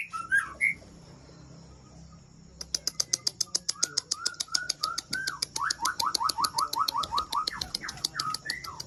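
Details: Shama of Aceh at Kandang, Ladong, Aceh Besar, delivering a string of quick, downslurred whistles. A brief opening phrase is followed by the whistles over a steady, rapid ticking or clicking that runs through most of the recording.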